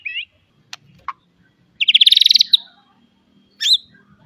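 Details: White-rumped shama song from a recording for training young birds: scattered short whistles and clicks, then a fast, ringing trill of about twelve notes, followed by a final brief high whistled phrase.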